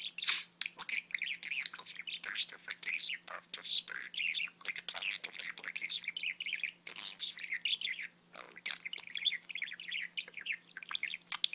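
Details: Talking pet budgie, its owners trying to make out the words: long stream of rapid, scratchy warbled syllables and clicks, briefly breaking off around the seventh and eighth seconds before resuming, over a low constant hum.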